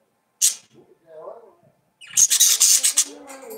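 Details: Budgerigars warbling: a sharp high chirp, then soft murmured chatter, followed by a dense run of rapid, scratchy, buzzy notes with squeaky overtones.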